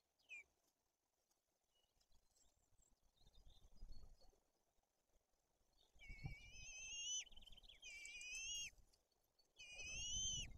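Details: White-tailed eagle chicks in Tuchola Forest, Poland, being fed fish amid aggression from the older chick: after a quiet, rustling start come three loud, rising whistles with a quick stuttered trill between them, over low rumbling noise.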